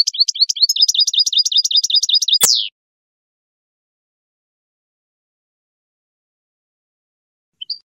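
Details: Wild European goldfinch singing, used for teaching young birds: a dense, fast twittering run of high chirps for over two seconds, ending in a sharp click, then long silence and one faint final note.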